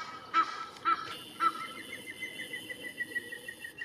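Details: Egyptian goose in a park at Cestas, France, spring 2023, among a family with a young gosling: three sharp honks in quick succession, then a smaller bird's steady chain of thin repeated notes continuing in the background.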